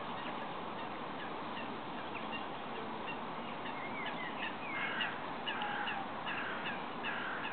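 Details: Great cormorants at a roost and colony on Lac de Maine, Angers-Bouchemaine, Maine-et-Loire, France, 30 March 2012: a dense din of hoarse, honking calls, with brief clearer whistled notes rising above it near the end.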